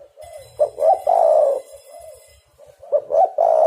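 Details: Spotted dove used as a trapping lure, cooing loudly: clipped opening notes run into a long, throaty, descending coo, followed by soft continuous cooing, then another stuttered build-up into a strong coo.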